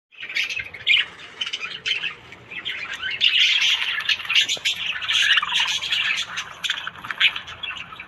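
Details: Budgerigars chattering in the morning: a dense, continuous warble of scratchy chirps, squawks and short whistles, rising and falling in loudness, several birds overlapping throughout.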